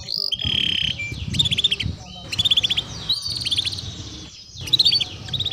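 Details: Lively canary song meant to prompt other canaries into singing quickly: short high whistles and bursts of rapid trilled notes separated by brief gaps, phrases changing every second or so, over low background noise.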